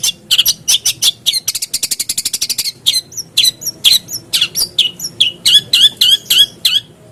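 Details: Long-tailed shrike, a lure to get a lazy caged bird singing: scratchy chips, then a fast rattling run of even notes, then varied harsh and whistled notes.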